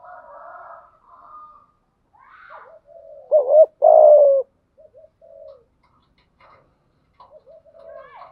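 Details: Spotted dove kept as a decoy, calling to draw in wild doves. Faint murmuring coos surround one strong phrase midway, a short coo then a long hollow coo, before quiet scattered soft notes.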